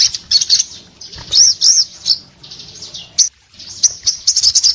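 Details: High, scratchy bursts from an orange-headed thrush in breeding condition, mixing arched whistled notes and chattering trills, with a sharp single note and a brief silence midway.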